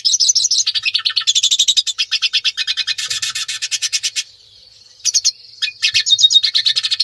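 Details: Hooded siskin (Spinus magellanicus) courtship song: a fast, high, twittering song of rapid chirps and trills, with brief buzzy and wheezy notes after a short pause.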